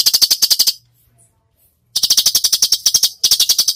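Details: Cucak cungkok 'tembakan' masteran: a fast, buzzy rattle, then a second-long silence, then two more dense bursts of sharp repeated clicks.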